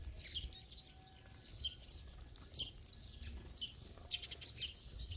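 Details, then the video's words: Flock of sparrows feeding together at a feeding spot; short high chirps come in bursts about once a second, overlapping into a loose chorus over a low background rumble. "참새들의 합창"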